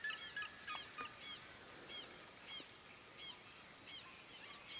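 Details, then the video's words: Red-legged seriema (Cariama cristata), Minas Gerais state bird, giving loud, harsh yelping notes in rapid, somewhat uneven bursts, about three per second, over faint background hiss. "SERIEMA (CARIAMA CRISTATA), RED-LEGGED SERIEMA, SARIEMA"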